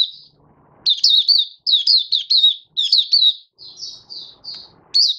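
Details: White-eye from Malaysia in the bird hobby, singing on 27 February 2023: rapid chattering runs of thin, high, warbled notes, split into short bursts, with faint low rustling before the first burst.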